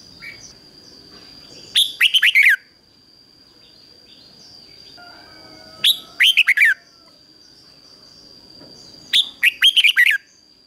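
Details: 'Ché' singing by a decoy red-whiskered bulbul trained to draw wild bulbuls in to fight: three brisk warbled phrases of several rapid notes, repeated every three to four seconds, over a continuous high hum.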